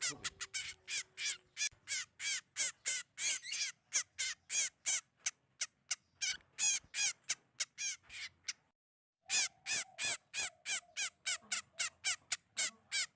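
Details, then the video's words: {'text': 'Trapping lure recording of a Sogon: a long string of harsh, scratchy calls delivered quickly and fairly evenly, broken by one short pause near the end before the rasping series resumes.'} "MP3 Pikat Sogon Paling Ampuh lansung Sambar"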